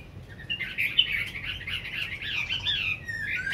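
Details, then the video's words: Hwamei kept in a cage for over five years in Hanoi, Vietnam, sings after being fed, pouring out a continuous rapid warble of twisting whistled notes with no breaks. "Họa Mi cb9016 hơn năm lồng hót hay"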